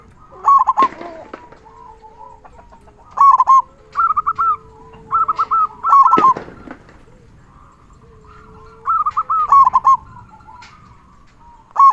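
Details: Frequently singing local zebra dove with a large 'kung' voice, used to tutor and excite quiet doves. Short stuttering coo phrases and rolling trills come in irregular bursts, with clicks and a low steady tone in the background.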